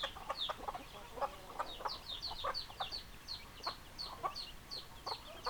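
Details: Chickens calling softly: spaced high downward chirps and short bright clucks, somewhat sparser than a full chorus, against a quiet background.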